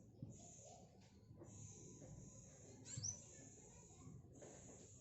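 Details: Long high buzzy trills from a tame speckled black sunbird in song training, with one quick rising whistle midway, short gaps between bursts, low background noise.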